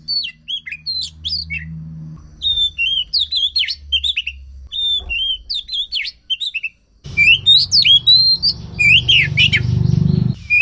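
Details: ['Lure song of an Oriental magpie-robin for prompting a silent bird to sing. Sequences of sharp whistled chirps and slurred notes, about three per second, with a humming low background that grows louder in the last seconds.']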